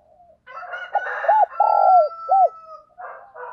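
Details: Morning cooing of a decoy spotted dove calling wild birds: a series of rounded, hollow arched coos and one drawn-out note, over a steady thin whistle-like tone and rough breathy sounds.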